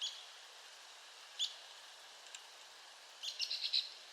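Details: Arizona woodpecker producing a few sharp high calls, then a rapid stuttering series of notes near the end, over steady background hiss.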